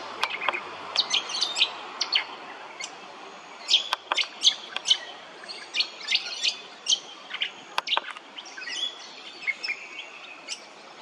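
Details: Brown honeyeater recorded at Hervey Bay, Queensland, giving a lively, irregular stream of sharp high chips and short whistles, with a few loud clicks scattered through.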